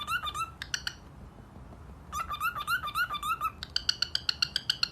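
A macaw gives bursts of squeaky, wavering whistled notes, ending in a quick run of sharp clipped chirps about four per second, in a quiet room.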